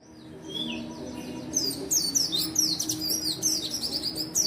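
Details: White-eye song meant to draw out white-eyes that will not sing: a soft falling whistle, then an unbroken, excited stream of quick high-pitched chirps and trills; low humming in the background.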